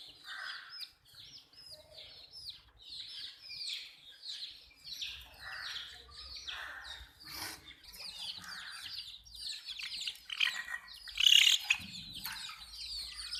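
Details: A group of desi chicks drinking water keep up rapid, high downward-swept peeps, many birds calling at once in pulses, with a sharp loud click-like burst late on and light rustling.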